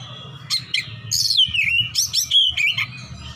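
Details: Fighting Oriental magpie-robin calling for an opponent in ngeplong-ngeplong style: loud whistled phrases near the upper-middle register, sliding and dropping notes broken by sharp chips, with a low hum underneath.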